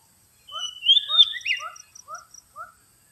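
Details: Lure song of the Oriental magpie-robin: a sweet whistled phrase with buzzy flourishes, then four short rising notes spaced about a quarter second apart.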